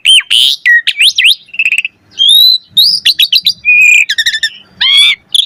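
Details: Asian pied starling singing a varied, full song meant to prompt other starlings to sing. Loud clear whistles, sweeping slurs and buzzy chattering notes follow one another in quick bursts separated by brief pauses.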